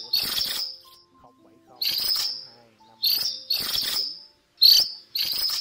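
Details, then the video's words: A cuckooshrike, male and female calling to their flock, gives shrill, grating high calls in short bursts, about one every second, with faint low tones between them. "Tiếng Chim Phường Chèo Trắng Lớn , Chim Chèo Bẻo Trắng Đầu Đen Gọi Bầy"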